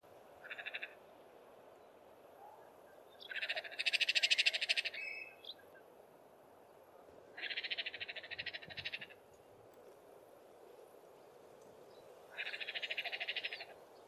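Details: Crowned hornbill; warning call; warning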